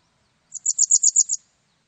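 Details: Japanese wagtail uttering a quick run of seven bright, high chirps, rising slightly in loudness through the middle, clean and isolated in a silent background.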